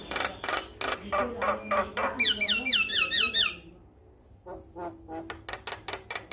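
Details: Male Javan myna from a master recording for triggering song in kept birds: harsh chattering, then a fast series of wavering whistled loops, a short pause, and a run of sharp clicking notes.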